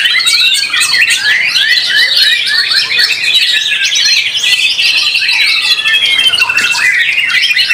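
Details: White-rumped shama singing at a bird singing competition; a dense stream of rapid, varied whistles and sharp chirps sweeps up and down without pause, with other competing songbirds overlapping throughout.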